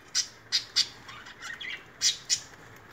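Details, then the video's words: Pet lovebirds bathing; one gives shrill, harsh squawks, five sharp bursts in under three seconds, with softer chattering notes between them. "Love birds Bathing,Sound and Voice"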